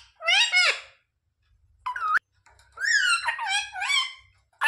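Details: Pet parrot talking indoors, said to ask mummy for roti: squeaky, harmonic speech-like phrases, a burst of syllables, a pause, then a longer run of rising and falling parroted words.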